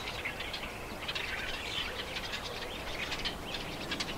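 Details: A chorus of small birds outdoors, captured in stereo, gives dense bursts of quick high chirps and twittering notes, one voice over another, above a constant soft noise floor.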